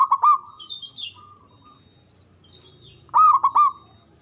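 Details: Local Javanese zebra dove with a loud, long-breathed voice, used as a lure to prompt silent doves to sing. A burst of staccato, ringing coo notes opens, then a pause with faint chirps, then another rapid rolling phrase near the end.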